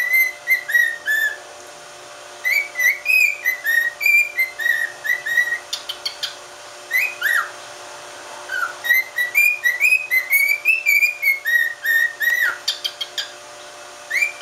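A cockatiel whistles a run of clear, tuneful phrases, short rising and falling notes strung together with brief pauses, over a faint steady hum.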